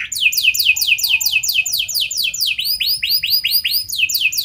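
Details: Canary singing a lavish, long-shooting lure song intended to set other canaries singing: rapid steeply falling sweeps repeated in a steady run, shifting to rounder arched whistled notes with a faint high trill above.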